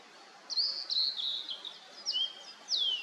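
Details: Blue-and-white flycatcher in misty mountains after rain: high, bright whistled phrases with short wavering notes, a brief lower whistle, then a long clear whistle sweeping down, over a soft steady background hiss.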